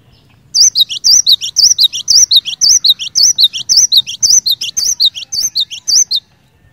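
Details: A cinereous tit sings a long, steady string of shrill two-note phrases, a rippling high whistle dropping to a shorter lower note, repeated roughly twice a second for six seconds, a song intended to get other birds of its kind singing.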